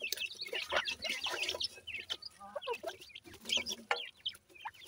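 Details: Several captive grey francolin chicks from Punjab peep constantly in thin, high, quickly repeated notes, many voices overlapping into a dense twittering, with faint low rustling underneath.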